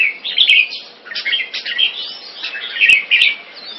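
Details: Champion-bloodline crossbreed red-whiskered bulbul, kept Singapore style, utters clear slurred whistles and fast twittering notes in two loud bursts, with softer chatter between and a few clicks.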